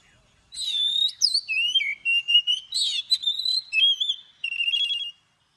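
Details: Morning song of an Oriental magpie-robin, forest-style voice with long notes for training birds: continuous clear whistles sweeping up and down, broken by quick trills and sharp chips, repeated phrases lasting about four and a half seconds.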